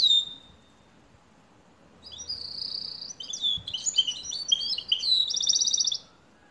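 A canary sings a rapid, varied run of high twittering notes, ending in a fast dry trill, with goldfinch-like phrasing; a brief high whistle comes first.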